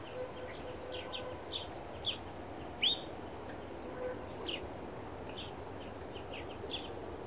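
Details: Black redstart in the Narsapur forests gives short high chirps scattered irregularly, one sharper downslurred note standing out midway, with soft background hum.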